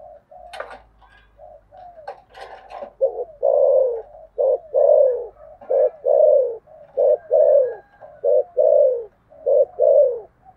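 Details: Spotted dove in the thổ sấm style fighting coo. Soft low cooing with a few sharp clicks leads into a steady series of loud paired hoots, a short note then a longer falling coo, about every 1.3 seconds.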